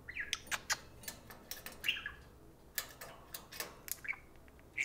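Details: Pet parakeets indoors taking turns talking to a spoon; a scatter of short sharp chirps and clicks mixed with brief warbled notes, uneven in rhythm, with tapping sounds between them.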